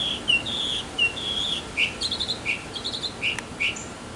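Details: A male mockingbird sings in a backyard to attract a female. Phrases change rapidly: drawn-out whistled notes give way to quick paired chirps and trilled bits, all fairly high and bright.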